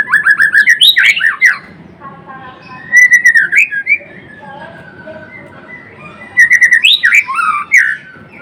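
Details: White-rumped shama, Murai Blorok, singing in bursts: rapid strings of whistled notes with swooping slurs, separated by quieter gaps of soft warbling, the loud burst returning after several seconds.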